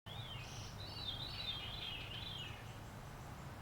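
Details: A bird at Potato Creek, whose sound the recordist calls the strangest ever heard from a bird, gives a quick run of high, thin twittering notes wavering up and down over steady low background rumble.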